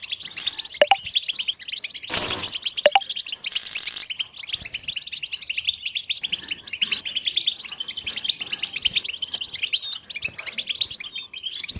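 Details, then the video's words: Collective chirping of European goldfinches used to stimulate silent males to sing: a steady wash of fast, high tinkling twitters, broken early by two short broad hissing bursts. "بتبتة الحسون تحفيز الحسون على التغريد والهيجان علاج صمت الحسون goldfinch stimulation"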